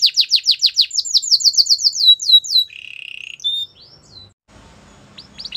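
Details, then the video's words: Canary song meant to encourage other canaries to sing: a fast series of descending whistled slurs repeated about four times a second, then a buzzy trill and a few scattered notes, ending in a short pause. "Special canaries to seduce all the canaries to make them sing"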